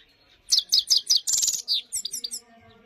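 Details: Himalayan goldfinch song: a string of clear high chirps, then a buzzy trill and a few descending twittered notes, all within about two seconds.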